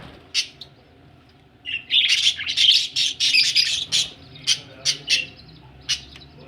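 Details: Budgies said to be ready for egg laying: a lone sharp chirp, then a long stretch of loud, buzzy warbling chatter breaking into separate clipped squeaks, about one every half second.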